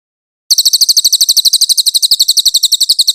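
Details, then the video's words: Velvet-fronted nuthatch singing clearly, used as a master recording for training white-rumped shamas: a fast, even series of sharp, high chips, about eight per second, beginning after a half-second pause, with no other sounds. "MASTERAN BURUNG CILILIN JERNIH !!!"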